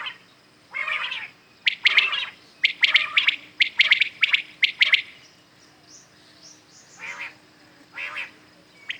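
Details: ['A run of common quail triplets in early morning, several birds overlapping in rapid three-note whistled phrases, then spaced softer calls trailing off.']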